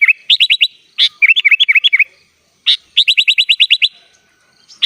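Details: Sooty-headed bulbul singing prolifically in full 'isian' style, with mixed-in song phrases. Rapid series of clear, downward-hooked whistled notes, six to eight in a burst, separated by brief pauses and sharp chips.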